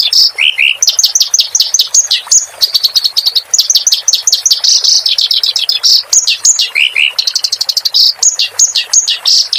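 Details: Clamorous reed warbler singing as a training recording for caged songbirds: a dense stream of rapid trills, chattering repeated notes and occasional lower downslurred whistles, loud and nearly unbroken throughout.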